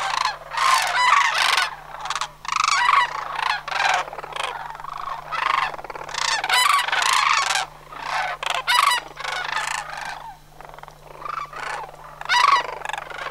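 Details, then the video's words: Migrating sandhill cranes at Homer in September 2009, part of a flock of about 100 watched from a Skyline Drive monitoring site; loud rattling trumpeted calls come in bursts of one to two seconds, several birds overlapping, with brief quieter gaps between. "Homer's Sandhill Crane Migration--September 2009"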